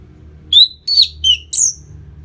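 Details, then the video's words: An orange-headed thrush sings four loud clear whistled notes in quick succession, slurred and partly descending, ending on a higher sweeping note. The song is meant to make a bird more aggressive after its moult. A soft low hum runs throughout. "Pancingan Suara Burung ANIS MERAH Pasca Mabung"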